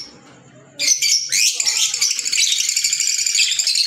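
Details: Green Fischer's lovebird breaks a near-silent start with loud, harsh, shrill chatter that keeps going steadily and rapidly to the end.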